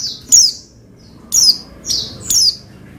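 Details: Oriental white-eye calling to encourage another white-eye to sing: four thin, high downslurred chirps roughly once a second, each a quick falling whistle over a quiet background.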